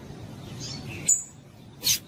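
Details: Female double-collared seedeater giving calls meant to excite males: a faint thin whistle, then a sharp high chip and a second shrill, piercing note.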